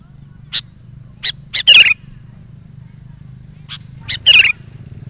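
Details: Sooty-headed bulbul in full song, used as a lure for wild bulbuls and for training decoy birds: two short phrases, each with a few sharp high notes and then a loud bubbling whistled burst, over a steady low hum.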